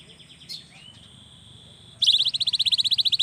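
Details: Young cinereous tit used to spur silent birds into singing; after faint notes, a fast buzzy trill of about twenty even pulses runs steadily for over a second.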